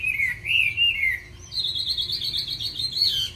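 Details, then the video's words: Caged Chinese hwamei singing with many wild-style phrases: clear whistled notes rolling up and down, then a fast, rich, warbling trill held high, loud and close. "Mi hót hay đẹp cb8864c nhiều giọng rừng hay mau mỏ"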